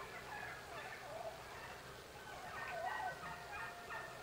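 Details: Wild turkeys waking up in the morning, recorded October 9, 2016. Several birds give wavering, yelping calls that rise and fall, overlapping with one another against a steady low hum.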